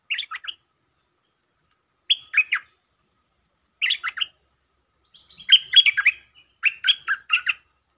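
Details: Territorial resident Stripe-throated bulbul, provoked, giving 'sap rik' lure song: short, bright, bubbling phrases of three to five fast notes, repeated roughly every one to two seconds, louder and fuller toward the end.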